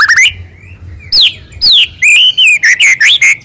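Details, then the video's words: White-rumped shama song for provoking rival birds: rich, clear whistled notes that swoop down and up, delivered in a quick series of short phrases after a quiet start. "Ampuh Buat Murai Lain Terpancing Emosi Seketika Insyallah Langsung Nyaut"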